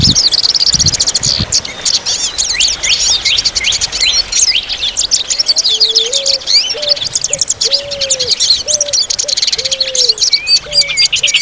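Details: Several birds singing in the countryside, part of a rural soundscape with a rooster and crickets: dense high chirps and quick trills throughout, with a lower repeated whistled note entering midway.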